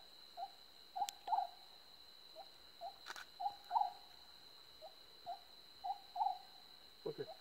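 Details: Oriental scops owl calling with short, low, hollow notes in clusters of two or three, repeated roughly every second, over a steady thin high-pitched whine with a few faint clicks and knocks.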